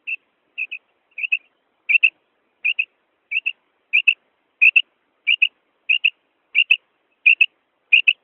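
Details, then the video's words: Female quail calling: clear, whistled double notes repeated about every two-thirds of a second, each pair quick and evenly pitched, growing a little louder over the series, with no other sounds. "female quail sound madi batair ki kirk"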